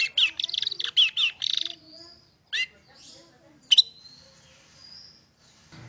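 Long-tailed Shrike song: a quick burst of high, scratchy chattering notes for two seconds, then scattered sharp chirps, upslurred squeaks and a thin drawn-out whistle.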